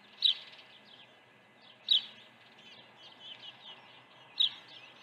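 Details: Early feeding at an osprey nest at Dunrovin Ranch, 1 June 2019: three loud, high whistled chirps roughly two seconds apart, with quieter chirps between them over a faint hum.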